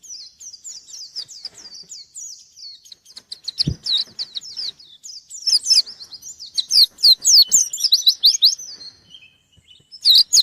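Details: White-eye in full song, seeking a rival: a steady, thin twittering run of quick high notes that builds into loud, jerky, rapidly repeated chirp bursts with brief pauses, plus one short low thump.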